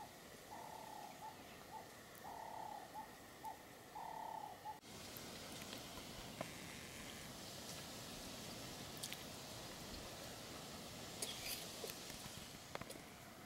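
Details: An eagle calls near a Limpopo river camp as vervet monkeys raid weaver bird nests, giving a series of short, clear yelping notes, ending in one longer drawn-out cry.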